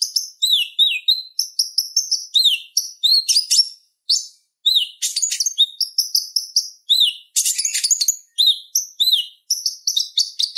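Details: Purple-throated sunbird (konin) in lively chattering song used to tutor other songbirds; fast sequences of high sharp chips, hooked slurred whistles and dense buzzy rattles, delivered in bursts separated by short silences.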